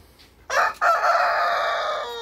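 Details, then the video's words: A Light Brahma rooster in a backyard crows once: a short opening note, then a long, hoarse, drawn-out note held steady for over a second before fading. "Rooster Crowing- BSO & LIGHT BRAHMA ROOSTERS IN THE BACKYARD"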